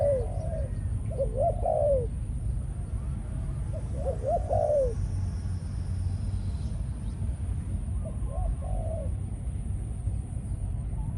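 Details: Captive male decoy spotted dove of a Malaysian line, said to be in breeding condition after a few ground-feeding sessions, giving three bursts of soft, mid-pitched, bubbling coos about three seconds apart over a steady low rumble.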